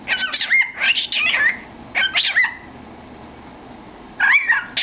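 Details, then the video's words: Pet cockatiel with its head inside a cardboard tube, entertaining itself: harsh, buzzy chattering bursts mixed with rising and falling whistled notes, in three separate spells with quiet gaps between. "Funny Bird Singing in a Tube"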